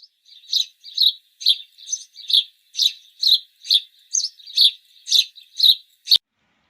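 A sparrow chirps steadily, about two short, bright cheeps a second, repeated evenly with no other sounds.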